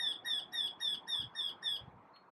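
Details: Eurasian wryneck singing from the top of a tree: a quick run of about seven nasal, ringing notes, evenly paced at roughly four per second and holding a steady pitch.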